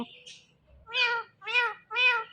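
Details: Pet talking rose-ringed parakeet, an Indian ringneck, indoors: a faint nasal syllable, then three loud, harmonic, meow-like drawn-out calls, each arching up and down, about half a second apart.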